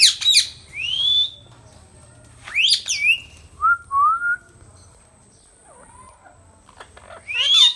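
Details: Talking Indian ringneck parrot, a pet green bird, gives loud slurred whistles, some rising and some falling, mixed with short harsh squawks and pauses in between, in a quiet room.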